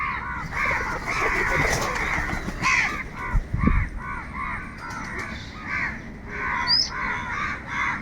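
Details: Crows calling loudly for food, a rapid series of harsh, nasal caws repeated several times a second in overlapping bursts, with a low rumble midway and a brief thin whistle from another bird.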